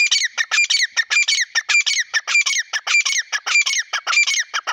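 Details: White teetar, the grey francolin, giving a loud, grating call: squawky, slightly bubbling notes delivered in a fast, fairly even series of nearly two per second, clear and close.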